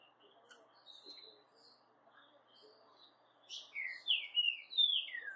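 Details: Caged brown blue-black grosbeak sings after a quiet start, delivering a burst of sweet, sliding whistled notes that rise and fall over the final two seconds, with faint room noise.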